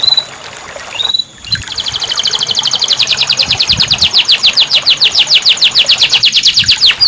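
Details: Canary singing, recorded as therapy for a canary that has stopped singing: a brief rising whistle, then a sustained, very fast high trill of sharp repeated notes lasting several seconds, with faint hiss behind.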